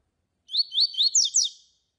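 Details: Double-collared seedeater singing the tui-tui song style, used to warm up other seedeaters and as a master song for tutoring: three rising slurred whistles followed by two quick, sharper descending notes in one short, bright phrase.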